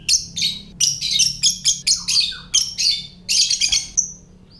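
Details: Lovebird ngetik (typing) call, used to set off calling and breeding readiness in other lovebirds: dense bursts of harsh, buzzy high chips in quick succession over a steady low hum.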